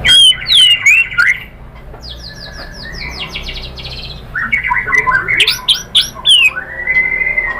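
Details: Murai batu (white-rumped shama) lure song for provoking other birds: sharp descending whistles, then a thin series of rapid high buzzy notes, followed by a tumbling burst of varied whistled slurs and a sustained clear note.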